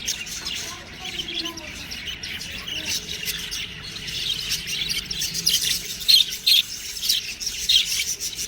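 Budgerigar chicks chirp in a dense, high-pitched chatter of short squeaky notes, with sharper bursts standing out near the end over a steady hiss.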